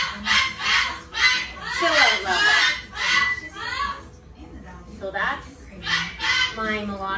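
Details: Rescue pet cockatoo having a hangry meltdown, a high-agitation pre-bite state, gives harsh, raspy screams in rapid bursts less than a second apart, with a person talking briefly between them.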